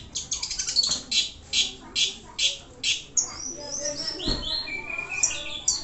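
Long-tailed Shrike singing: a fast run of high, harsh scratchy bursts that slows to about two a second, then a jumble of thin whistles and chattering notes.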